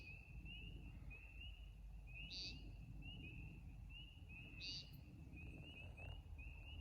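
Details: Night-time American woodcock, or timberdoodle, in a backyard where its flight display is seen: two brief harsh buzzy beeps about two seconds apart over a steady chorus of rapid, repeated, rising high chirps.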